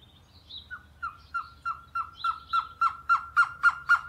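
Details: A surucua trogon hidden high in a tree in a small rural Atlantic forest area in Brazil sings a series of short, mellow notes, about four per second, starting soft and growing steadily louder.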